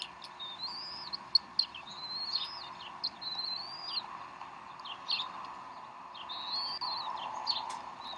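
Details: Bald eagle mother feeding her young at the Decorah nest, 12 April 2012, 3:10 pm Central Time; long high whistled calls that rise and bend downward, repeated with brief sharp chirps, over a low background hum.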